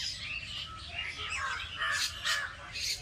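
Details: Village birds twitter rapidly in a dense tangle of short high chirps and squeaky notes, many overlapping, with a faint low rumble underneath.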